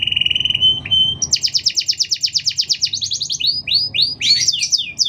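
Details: Canary singing a long, tightly spaced song to train or provoke other canaries: a low steady rattle, then a fast pulsed high trill and a string of rising whistled upsweeps.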